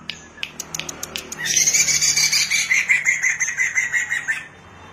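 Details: Black-throated laughingthrush singing, used as a lure to get other birds singing: sharp clicks lead into a loud buzzy, pulsing chatter of rapid repeated notes for about three seconds, then it fades out.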